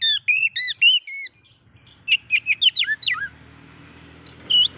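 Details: Oriental magpie-robin song to provoke other magpie-robins: a rhythmic series of repeated whistled phrases, then a fast run of downslurred notes, ending with high sharp whistles, low hum behind.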